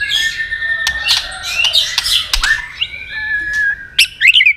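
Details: White-rumped shama giving a fighting song to provoke a rival: dense harsh chatter over sustained whistled tones, ending in a burst of high quick notes.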